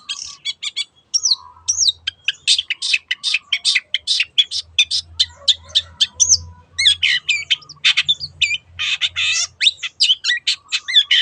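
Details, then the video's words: Long-tailed shrike lure song meant to set other birds singing: long, continuous run of rapid scratchy and chattering high notes with interspersed whistled slurs, loud and varied, faint low hum in places. "SUARA BURUNG CENDET TEOT TEOT pancingan AGAR BURUNG MANAPUN IKUT GACOR"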